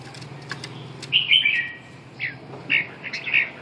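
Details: Red-whiskered bulbul singing: short bright warbled phrases around the upper-middle range, one near the start and several choppy bursts later, over a low steady hum and faint background noise.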